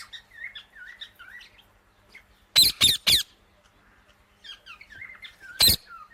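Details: Indian ringneck parakeet with soft, wavering chatter at the start, then three loud rasping screeches in a row, more quiet chirping, and one final harsh screech.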